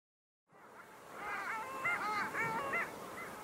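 Long-tailed ducks give nasal, yodelling calls that waver up and down, repeated several times in quick succession over a soft watery background.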